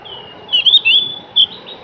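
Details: Short phrase from a Javan grey-throated white-eye: a thin sustained high whistle, then quick bending chirped notes and a final clear note.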